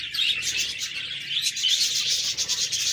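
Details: A short burst of budgerigar chatter: scratchy, fast warbles with rising squeaky notes pulsing roughly three times a second.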